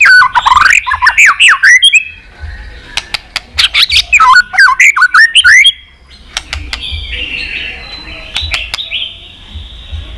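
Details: White-rumped shama singing to provoke a fight, with two dense bursts of rich whistles and clicking notes, then a quieter stretch with faint high trills.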